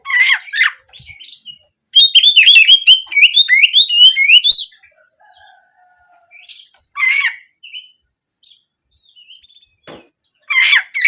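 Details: Oriental magpie-robin singing in the canary-shooting style to prompt birds to sing for daily or contest form: harsh opening notes, then a fast run of rising whistles and trills, a quiet stretch with faint thin tones, and scattered harsh calls.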